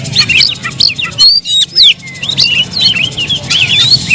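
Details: Kept Oriental magpie-robin singing a dense run of clear whistled notes, sharp upslurred and downslurred phrases and quick chirps, with a brief pause midway; a low steady hum underneath.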